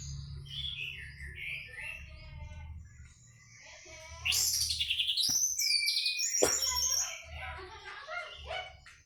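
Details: Champion teler-style Orange-headed thrush singing a rich, varied run of whistled phrases, swooping slurs and sharp high notes that grow louder midway, with a low background hum throughout.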